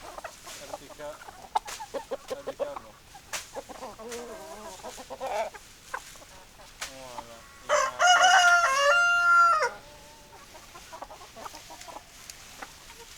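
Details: Chickens cluck in scattered bursts before a rooster gives a loud, harmonic cock-a-doodle-doo of about two seconds, ending in a held note, then softer clucking returns.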